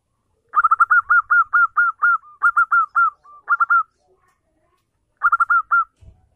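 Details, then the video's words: Local zebra dove in lively song, played as a lure to prompt a silent dove to call back: rapid strings of short, bright, hooked coo notes, about a dozen in a row, a pause, then a shorter burst of five. "perkutut lokal gacor pancingan ampuh perkutut bisu langsung nyaut"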